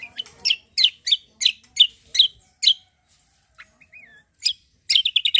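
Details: Cucak kombo in full lively song, used as a lure to prompt other birds to sing: a quick series of high, sharp chirps in regular bursts about three per second, a brief pause with a short whistled phrase, then a rapid flurry.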